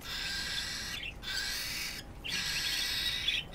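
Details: Harsh, hissing screech from a pet cockatiel threatening another cockatiel that has come to its cage, a broad raspy sound held in long bursts with two short breaks.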